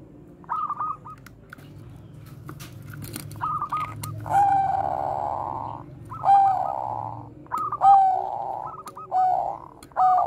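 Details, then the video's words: Zebra dove, Bangkok type, singing bekur koar-koar as a training lure for other doves: rolling stuttered trills and clear held coos recur every second or two, with broad noisy stretches and a low background hum. "perkutut BANGKOK BEKUR KOAR-KOAR bagus untuk PANCINGAN PERKUTUT"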